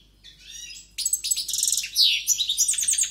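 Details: A vigorous European goldfinch starts with a faint buzzy note, then bursts into loud, fast, jangling twitters and trilled phrases.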